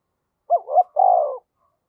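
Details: A single coo phrase from a decoy spotted dove: two quick rising notes followed by a longer, even, purring coo lasting about half a second.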